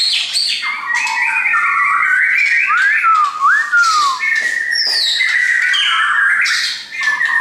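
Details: Kept shamas brought along by a visitor, singing loud, continuous whistled song: rich slurred notes gliding up and down, overlapping phrases, and a few sharp downward-sliding whistles in the middle.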